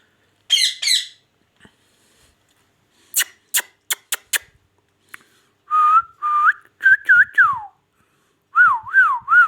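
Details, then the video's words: Talking ring-necked parakeet kept as a pet in Pakistan, giving a few harsh squawks and sharp clicks, then clear wavering whistles with repeated up-down wiggles toward the end, in a quiet room. "magical ringneck talking |parrot"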